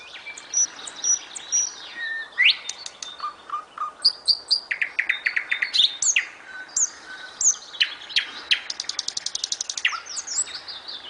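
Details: Nightingale in full song, a long varied stream of whistles, sharp chirps, upslurs and fast rattling trills, each phrase changing pitch and pace.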